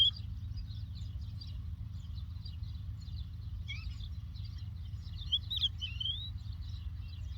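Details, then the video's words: Lark singing in the Doukkala countryside: a steady run of high, thin chirps and twittering trills with a few slurred whistles, over a constant low rumble. "The Lark Tweets صوت الطبيعة: تغريد القبرة"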